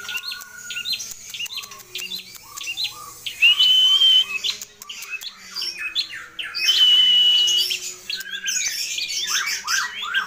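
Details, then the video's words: Long-tailed shrike (pentet) singing continuously with a varied mimicked repertoire. It mixes scattered high chips and squeaks with two long, pure, level whistles, over faint steady background tones. "Burung Cendet Atau Pentet Gacor Isian Melimpah Komplit FULL Master"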